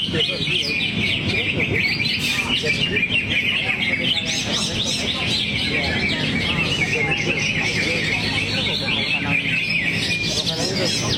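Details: Greater green leafbird pouring out its varied song material: dense, fast, twittering phrases of rising and falling whistled notes, running almost without pause, with people talking quietly underneath.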